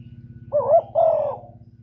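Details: Trapping-lure spotted dove: two quick, husky coos, the second longer and falling away, against a low pulsing mechanical drone.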